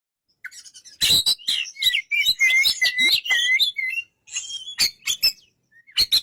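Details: Oriental magpie-robin singing a fast, varied run of sharp clicks mixed with clear whistled notes, some rising and some falling, delivered in one long burst and then a few shorter clipped bursts after a brief pause.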